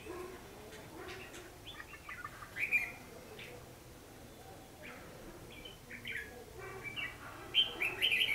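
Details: Red-whiskered bulbul giving a fighting song as a trapping lure, 14 December 2015. Scattered short whistled notes, growing into brighter, louder phrases toward the end, against a soft background hiss.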